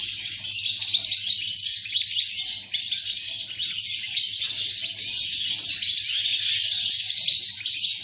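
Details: Continuous high twittering from a goldfinch recorded in November 2018, a rapid jumble of bright tinkling notes running without a break, over a faint low hum.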